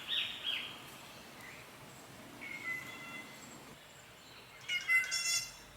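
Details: In a dark tropical rainforest in North Queensland, Australia, a Spangled Drongo answers another drongo calling in the distance with a few sharp, twangy, metallic notes, ending in a louder ringing burst, over faint forest hiss.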